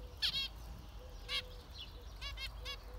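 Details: Zebra finch calls: a few loud nasal, harmonic-rich beeps in pairs and singles, roughly one a second, over soft low background noise.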